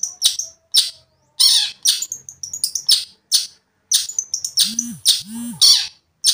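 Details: Long-tailed shrike singing to rile another shrike: loud grating bursts and high whistled slurs in uneven sequence, with two low arching hums partway through.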